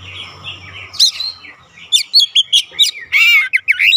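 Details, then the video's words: Oriental magpie-robin at home, singing to draw responses from other birds: soft murmuring start, then sharp whistled notes, rising slurs and a harsh buzzy note near the end. "AUTO RESPON NGEPLONG GACOR KACER ANDA DIRUMAH"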